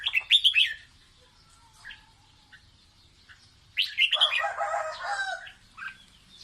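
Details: Red-whiskered bulbul singing to teach chicks, giving a quick rich warbled phrase, a pause with faint notes, then a longer jumbled burst of chattering, warbling notes.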